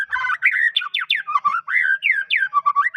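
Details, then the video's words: Medan white-rumped shama singing continuously, song said to spur rival shamas to sing: varied rich whistles, rising and falling sweeps and warbled notes in quick succession with short gaps, clean and loud throughout. "MURAI batu gacor suara unik bikin murai murai batu lain langsung gacor"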